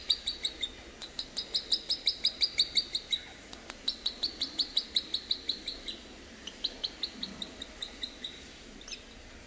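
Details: Boat-billed heron chicks aged three weeks, kept at Zoo Praha, Czech Republic: long runs of quick, evenly spaced high peeps, nearly three per second, with short breaks between runs and a quiet indoor background.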